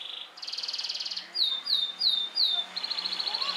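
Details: Yellow canary kept at home and set outside daily to sun, singing: a high buzzy trill, then four sharp downslurred whistles about every third of a second, then a rapid rattling trill.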